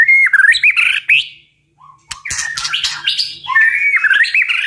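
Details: White-rumped shama giving a very strong tạch-style song used to provoke birds to fight: loud slurred whistled phrases, a brief silent break, then dense, varied whistles mixed with harsh, scratchy notes.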